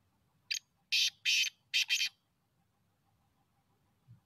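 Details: Harsh, scratchy phrase of a black francolin, recorded in connection with teetar hunting: five loud rasping notes over about 1.6 seconds, the last two run together, followed by quiet with a faint low thump.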